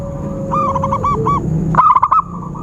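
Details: Zebra dove trapping lure call, with soft rounded coos first and then a sharp, rapid stuttering burst of notes near the end, over a faint steady tone and background rumble.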